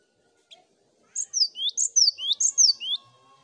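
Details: Cinereous tit, chorus recording for prompting song: after a single faint note, a run of about four quick two-part phrases, high downslurred whistle then a rising one, with a thin steady tone beneath.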